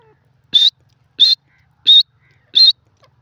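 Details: Grey francolin (desi teetar) hunting call: four short, shrill, squeaky notes evenly spaced about two-thirds of a second apart, each slightly rising, over a quiet, faint low hum.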